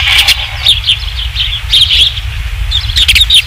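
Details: Osprey calling at the Dunrovin Ranch nest, 27 July 2016, evening, third fish: clusters of shrill whistled chirps in quick succession, pausing briefly, then resuming, over a low steady hum.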